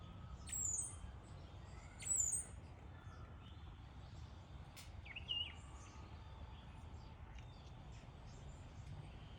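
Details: Sparrow giving a few short, high chirps spaced over several seconds, each a quick sweeping note, with a soft twitter between them over steady low background rumble outdoors.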